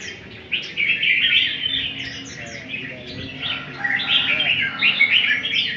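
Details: Red-whiskered bulbul, a one-year-old albino bird being trained, gives a rush of bright twittering and chirped notes, rising in intensity after a quiet start and continuing in dense, uneven bursts.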